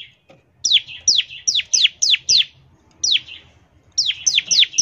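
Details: Rapid 'ngebren' song of a bar-winged prinia used as a prompt for other prinias: clusters of sharp falling high chirps, about four per second, broken by short silences, faint low rumble beneath.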